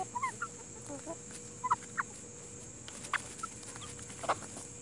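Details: Chickens of the Plymouth Rock and Hamburg breeds give scattered short, soft clucks and brief harmonic notes at irregular intervals over a steady background hiss, with a faint continuous high tone throughout.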